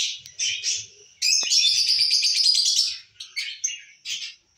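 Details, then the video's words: Lutino and masked lovebirds kept for breeding, checked in their enclosure: brief chirps, then a long buzzy, rapidly pulsed chattering phrase of almost two seconds, followed by scattered short squeaky notes. "love birds Breed Chacking . Lutino and personatas"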